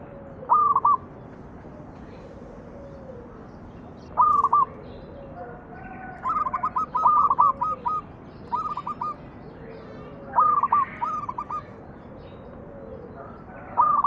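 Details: Zebra dove, local type, cooing to lure other doves into song. The coo phrases repeat through fourteen seconds, some overlapping in a denser cluster midway, each a rapid string of short even-pitched notes.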